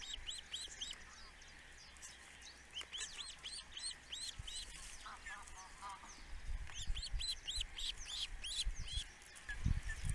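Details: Attentive male osprey at the nest, webcam recording: bursts of repeated arched, whistled chirps, a quicker lower squeaky run midway, then more whistled series with rumbling wind-like noise near the end.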